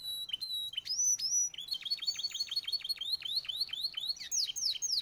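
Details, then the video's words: Belgian canary, one of three yellow canaries, singing: a series of rapid high chirps falling sharply in pitch, repeated evenly about four times per second, with short rising whistles and buzzy trills near the end. "Canários cantando, três canários amarelos contando."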